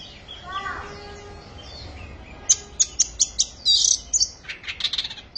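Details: An Oriental magpie-robin at the start of its singing season sings a few rich, slurred whistles, then a fast string of sharp, high, piercing notes, about two to three each second.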